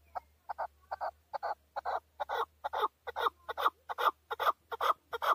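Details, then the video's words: Chukar male from Tajikistan, 2020, calling in a steady, accelerating chuk-chuk series, roughly two and a half notes a second, each note full and throaty, little background noise. "Нар Кабки Шикори (Садои кабки Шикори) 2020. Каменная Куропатка (Кеклик) в Таджикистане 2020. KEKLIK"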